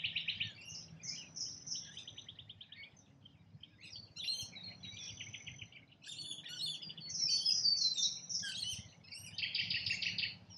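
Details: Rainbow lorikeets feeding in Australia: a flock gives harsh, buzzy, high screeches and rapid rasping chatter in overlapping bursts, some notes pulsed like short trills, with a low background rumble throughout.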